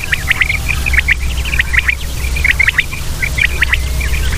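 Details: Common quail (batair) giving quick clipped calls in tight groups of two or three, evenly repeated, over a low steady drone.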